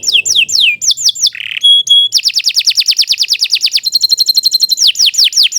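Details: Canary in full long song: falling whistled slurs, a short buzzy burst and clear tones, then a rapid roll of repeated sweeping notes followed by a high metallic trill and more falling whistles.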